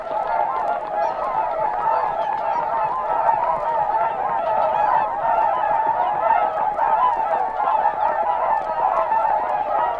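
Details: A dense flock of whooper swans recorded at Matsalu, Estonia (released 1979), giving loud, bugling honks that overlap without pause in a continuous clamour of brassy, trumpet-like calls.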